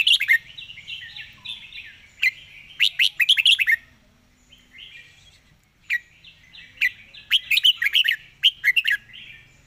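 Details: Red-whiskered bulbul delivering a fast, rattling song in the 'fast-beak zone' style: warbled phrases opening into loud bursts of crisp chirps, a brief pause, then another energetic burst of quick notes.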